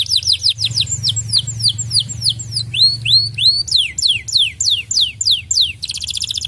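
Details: Canary singing as a stimulus for other canaries: long runs of rapid descending whistled notes, switching to rising upslurs midway and closing with a dense buzzy trill, low hum beneath.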